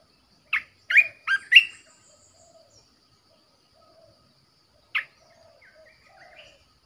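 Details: A caged red-whiskered bulbul used as a decoy gives four loud, sharp chirping notes in quick succession. After a long pause comes one more chirp, then soft, distant warbling notes.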